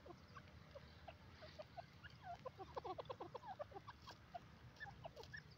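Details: Grey francolin, a Pakistani teetar, bathing and playing in mud; a burst of short, rapid clucking and chattering notes clustered mid-clip, with scattered softer clicks over low background rumble.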